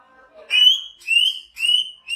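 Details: Greater green leafbird, a large-bodied, persistently singing bird from Banyuwangi kept as a training model for song contests: three clear whistled phrases, each gliding slightly upward, with a soft low warble at the start.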